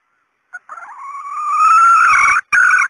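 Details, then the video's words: Female red junglefowl call used to lure males: a short clipped note, then one long, loud, rising drawn-out call that swells and ends in a brief second burst, on a silent background. "SUARA PEMIKAT TERBAIK AYAM HUTAN BETINA"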